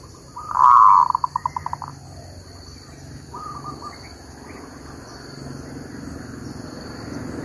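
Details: Zebra dove used as a decoy for trapping after a week of continuous rain: one loud burst of rapid staccato cooing notes that break into a quick stutter, then fades to faint background noise.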